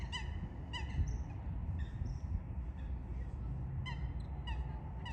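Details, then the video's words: Eurasian coots during a fight: widely spaced, abrupt, honking calls, sometimes paired, with softer squeaky notes in between and a continuous low rumble. "Лысухи и другие птицы. Драка и не только"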